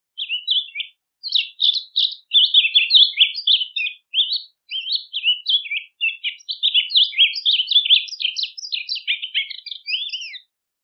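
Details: Rusty-collared seedeater (coleira-do-brejo) song, a bird of wetlands and marshes, recorded for song training: a long run of rapid, varied chirps and short warbled notes in tight bursts, clean with no other sounds.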